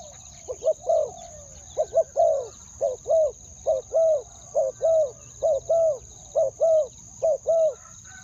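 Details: Spotted dove cooing to lure wild doves, two-word ku-ang style. About ten short-long pairs of soft, hollow notes repeat at a steady pace over a faint constant high whine.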